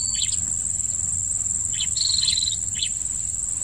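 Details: Blue-crowned hanging parrot being lured at a trapping spot, giving sharp high chirps and a short flat whistled note in quick irregular succession against a constant shrill insect hum.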